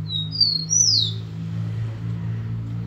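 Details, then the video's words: Rufous-collared sparrow singing face-on to the camera: clear whistled notes, a level tone followed by a higher note that slides downward, over a steady low hum. "tico tico cantando de cara"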